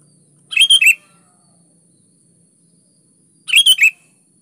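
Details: Sooty-headed bulbul singing eagerly as a lure for quiet birds: a rollicking phrase of clear, warbled whistles, then after about three seconds a matching phrase, over a faint low hum.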